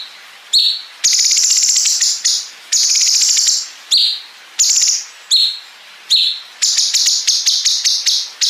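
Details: High-pitched cungkok bulbul singing long connected 'bren' fills with 'ngepik' for contest-bird training: sustained rattling buzzes of about a second, separated by sharp notes, ending in a quick series of clipped bursts.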